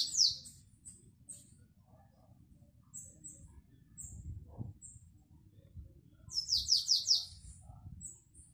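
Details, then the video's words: Canary performing Belgian classic song, recorded 2021: a sharp high note and scattered soft chips, a faint low thump midway, then a short roll of about five fast descending notes. "CANTO BELGA CLÁSSICO 2021"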